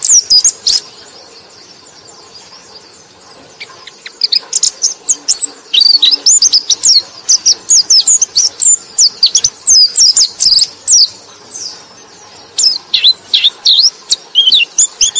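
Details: Bright white-eye song used as a lure for other white-eyes, mostly quiet hiss at first, then long busy passages of rapid high chirps and twisting whistled phrases with short breaks.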